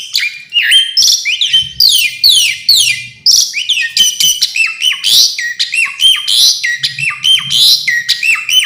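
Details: Varied fill-in song of an Asian pied starling: a rapid, busy run of high downslurred whistles and harsh chattering notes, delivered almost without pause and ending in repeated falling whistle pairs.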